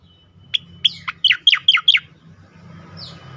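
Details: Asian pied starling (cucak koreng) singing loudly in ngerol and nembak style: a thin whistle, then six or seven rapid, sharp descending notes, followed by one soft gliding whistle.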